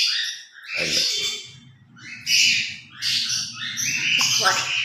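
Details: Pair of pet grey parrots chattering through a noisy morning routine, with bright squawky bursts and whistles over a low indoor rumble.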